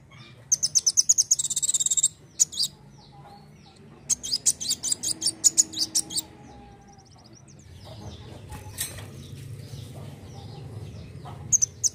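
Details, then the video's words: Dark sunbird singing vigorously with shooting notes: fast trills and rattling strings of very high chirps in several long bursts, separated by short pauses, over a low steady hum. "KOLIBRI WULUNG GACOR NEMBAK NEMBAK"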